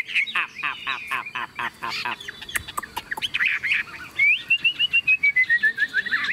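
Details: Caged Chinese hwamei, tame and singing while its cage is carried: rough chattering bursts and clicks, then a clear run of whistled notes descending step by step.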